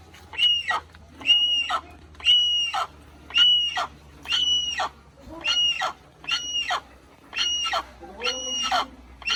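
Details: Little hornbill: a long, steady run of loud nasal barking notes with strong harmonics, about one each second, evenly spaced, over a quiet low hum.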